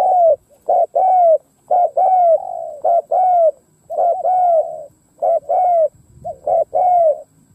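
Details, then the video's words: Spotted dove used as a decoy, cooing to draw in wild doves: steady run of loud, deep hollow coos, short notes paired with longer slurred ones, repeated almost every second without pause. "Tiếng cu mồi đất gù gáy kích bổi"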